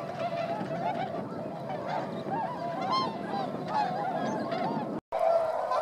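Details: Swans on the wing over rice fields in Motono, Inzai, Chiba, Japan, in December 2014, flock of 905; constant overlapping honks and trumpeting calls, broken by a brief silent gap near the end before calling resumes.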